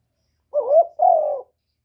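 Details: Spotted dove (cu gáy) calling in the 'một hậu ròng' style: a single low cooing phrase of two hoarse, slightly rising notes, the second longer and gently falling, in quiet surroundings.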